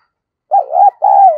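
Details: Spotted dove used as a decoy, calling to lure other doves: one loud two-part cooing phrase, a dipping, wavering note followed by a longer smooth coo.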